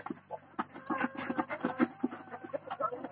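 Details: Hybrid laying hen about to lay an egg, giving soft, low clucks in quick, irregular runs. Fainter chatter sits in the background.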